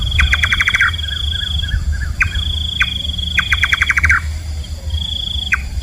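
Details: Rapid series of crisp descending notes from a nightjar, a nocturnal bird locally called kaba, repeated twice with scattered single notes between, above a sustained shrill insect-like tone.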